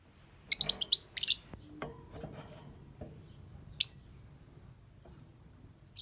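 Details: Lovebird song opening with a rapid run of sharp, high-pitched chirps and a buzzy squeak, then quieter scattered notes and soft low rustling, ending with isolated piercing chirps several seconds apart.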